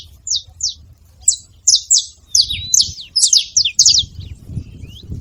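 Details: Saffron finches together: scattered high down-slurred chirps at first, becoming a denser overlapping burst midway, then tapering, over low background rumble.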